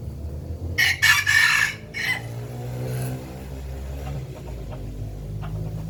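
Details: Rooster crowing: a loud, harsh, broken crow lasting about a second and a half, with a shorter tail note after it, then fading into a steady low rumble.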